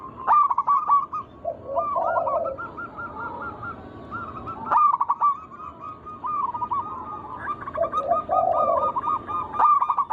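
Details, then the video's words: Group of local zebra doves in song, used as a lure for other doves: long chattering strings of hooked coos, with lower rolling warbles twice and abrupt loud restarts. "Pancingan burung perkutut lokal alam gacor suara mengundang bunyi langsung emosi"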